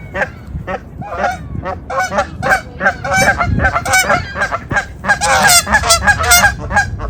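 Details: Several wild Canada geese honking loudly while chasing in snowy winter: dense, overlapping nasal honks, about three a second, growing more frantic and layered toward the end over low rumbling noise.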